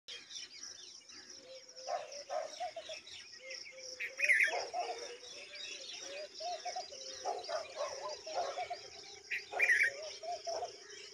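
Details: Red-vented bulbul feeding large mantises to its young. Two short, bright chirps stand out near the fourth and tenth seconds. Behind them run dense, repeated low warbling notes from other birds and a steady high buzzing band.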